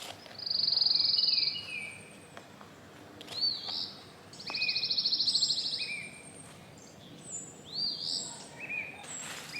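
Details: Loud birdsong in a rain-soaked backyard during gardening: high whistled trills, sustained buzzy bursts and short rising chirps from several birds, with steady background hiss and no speech.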